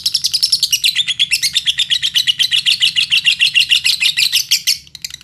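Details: Lovebird song used in Indonesia as a lure to set other lovebirds singing: an unbroken run of rapid, high, shrill chirps, about five per second, dipping slightly in pitch partway through.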